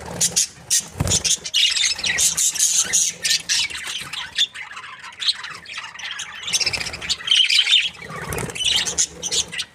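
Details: Budgerigars, a happy breeding pair, chattering almost continuously in dense, scratchy, high warbles and squawks, with brief low thumps and a short pause near the middle.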